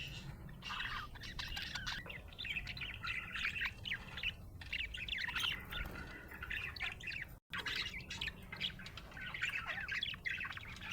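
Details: Happy budgerigar chirping in a continuous, busy warble of buzzy squawks and quick rising and falling chirps. The chatter runs steadily for the whole stretch, with one brief gap near the end, over a faint low hum.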